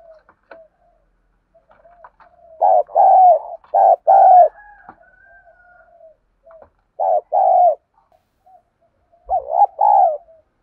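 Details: Spotted dove decoy duelling with a wild bird, in the 'thổ' voice style: three separated bursts of paired coos, a quick note and then a longer slurred coo, with faint soft calls and clicks between.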